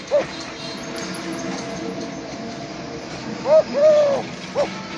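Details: Eurasian collared dove kept by its owner in a village, cooing: a clipped note, then later a full phrase of a short coo, a drawn-out level coo and a brief final note, with constant low background noise between phrases.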